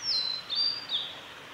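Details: Singing male blue-and-white flycatcher at Lake Miyagase's Kanazawa forest road, Japan, 3 May 2020: three high, drawn-out whistled notes, each slurring slightly downward, over a constant noisy hiss.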